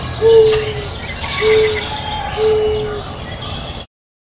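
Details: Dove calling with three level, drawn-out coos about a second apart, each holding one low pitch, over steady background noise.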